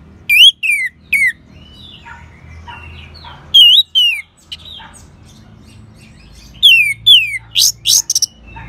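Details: Orange-headed thrush song intended to spark singing in other birds: pairs of sharp descending whistled slurs recur several times, with soft warbling between and harsher bursts at the close.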